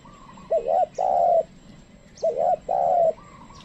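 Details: A tame decoy spotted dove calls wild birds. The same low coo phrase sounds twice, a short hooked double note followed by a long, level drawn-out coo, in quiet rural surroundings.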